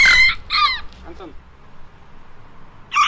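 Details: Red-cowled cardinal giving two loud, ringing whistled phrases with sliding notes, a quiet pause with faint low sounds, then another strong phrase at the end.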